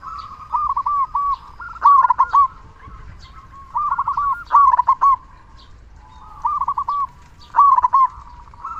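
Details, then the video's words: Big-voiced local zebra dove, a steady singer used to rouse silent doves: four loud rolling coo phrases spaced roughly two seconds apart, each a quick run of curved notes, with quieter cooing between. "Perkutut Lokal Gacor Suara Besar Pancingan Burung Perkutut Agar Cepat Bunyi"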